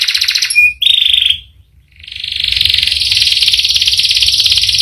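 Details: Domestic canary in a long rolling song: dense buzzy trill, briefly broken by a pure whistled note and a short silence, then resuming as a sustained rapid rattle.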